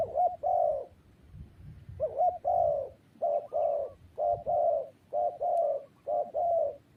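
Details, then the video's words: Spotted dove cooing steadily, repeating a two-part phrase about seven times in seven seconds: a short hooked note, then a longer hoarse mid-pitched coo, over a faint low rumble. "GELAGAT BURUNG TERKUKUR | SUARA YANG PADU"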